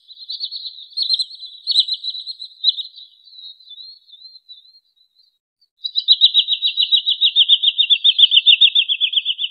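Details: Trapping lure of a wood sandpiper: high, rapid trilled runs of clipped notes, first uneven and fading, then after a short pause a long, even, slightly falling trill of quick whistled pips.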